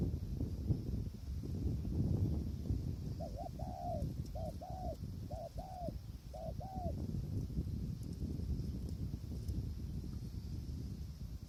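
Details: Spotted dove in strong wind at a decoy-trapping site, the wild bird far away. Four soft paired coos sound mid-clip, partly buried under loud continuous wind roar.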